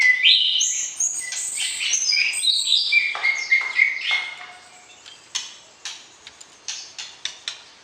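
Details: White-rumped shama calling to arouse a mate before entering a breeding cage: several seconds of fast varied whistles and trills, then quieter spaced sharp clicks repeated roughly every half second.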